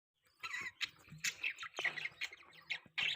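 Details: Budgerigars, kept as pet parakeets, chattering in short squawky chirps and warbles with brief pauses between bursts, a soft low hum underneath.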